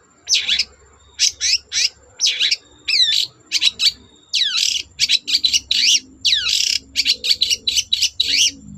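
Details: Long-tailed shrike in lively, full song, meant to draw other shrikes into singing: quick bursts of harsh chattering notes mixed with sharp down-slurred whistles, packed close together over a faint low background hum.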